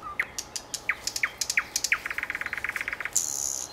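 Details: Common nightingale delivering slurred upward notes that speed up into a rapid, even rattle of repeated pulses, finished by a short buzzy trill.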